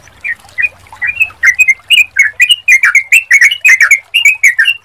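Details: Sooty-headed bulbul song as a lure to make birds respond: starts with soft scattered notes, then builds into a loud, continuous stream of quick, chattering, slurred phrases.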